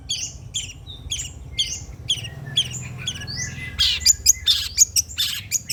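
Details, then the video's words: Long-tailed shrike song used as a lure to make shrikes sing: repeated high, slurred descending notes about once a second, then a burst of harsh, scratchy, loud chattering; low background rumble. "PANCINGAN CENDET TERBAIK, SEMUA JENIS CENDET PASTI NYAUT BUNYI DIBUATNYA"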